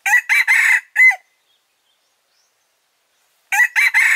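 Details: A male red junglefowl crows as a lure call for trapping: a clipped, hoarse phrase of about four quick notes. It repeats after roughly two seconds of silence and is cut off at the end.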